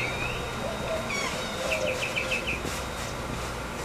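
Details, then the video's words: A Tropical Mockingbird in Corozal, Belize, in the morning gives an alarm: a quick run of short, sharp chirping notes, about six in under a second, over a steady background hiss. "Alarm Tropical Mockingbird"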